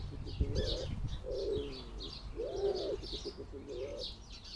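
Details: A common wood pigeon on a garden bird bath, trying to attract a mate: soft, low hooting coos in a rising-and-falling phrase, with light chirping from small birds in the background.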